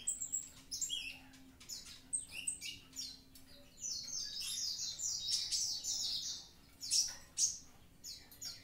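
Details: Javan pied starling singing actively: a dense, chattering run of harsh, high notes and short whistles in bursts, with a longer buzzy stretch in the middle and sharp squeaky notes near the end; a faint low hum throughout.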